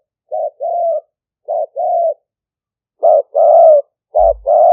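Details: Spotted dove calling in a live decoy recording from Roi Et province, Thailand, made with a smartphone to attract wild doves: soft hollow coos, each a short note followed by a longer drawn-out coo, separated by silences.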